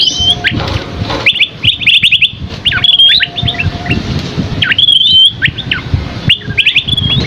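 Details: Gacor Scaly-crowned Babbler (asi topi sisik) masteran with rich isian. Clusters of fast high chirps and rising-falling whistles repeat in bursts, with a faint steady low tone and a soft rumbling background.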